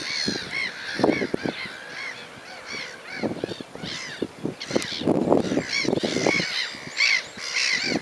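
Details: A sand martin colony chatters with dense, overlapping upward-curving chirps. The twittering is steady and punctuated by occasional low thuds.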